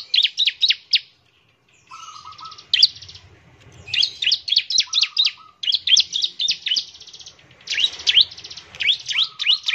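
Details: Song of a bar-winged prinia, played to prompt other birds to sing: quick groups of sharp, high, slurred chirps alternating with short buzzy trills and a lower soft rattle.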